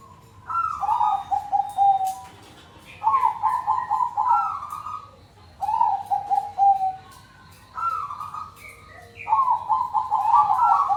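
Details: Zebra doves cooing together as a group, used as a lure to get silent doves singing: rolling, trilled coo phrases around one pitch band, each a second or two long, repeated with short pauses, overlapping voices, faint chirps from other birds.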